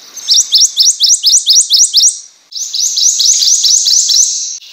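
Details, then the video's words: Prothonotary warbler song: two bursts of loud, ringing, upslurred notes repeated rapidly about eight times each, high-pitched and sweet, with a short pause between phrases. "Prothonotary Warbler Song.(Protonotaria citrea)."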